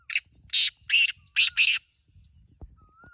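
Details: Black francolin giving its call, a rasping phrase of five loud, harsh notes with the last pair close together, followed by a few soft clicks and knocks.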